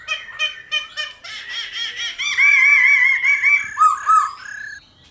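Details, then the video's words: Laughingthrush song in the mature forest voice, used to excite and train wild-caught birds: fast chattering notes building into a sustained wavering warble, ending in lower fluty whistles. "Khướu Hót giọng GIÀ RỪNG - GIỌNG HAY - NHIỀU GIỌNG kích khướu bổi. luyện khướu bổi hót căng lửa"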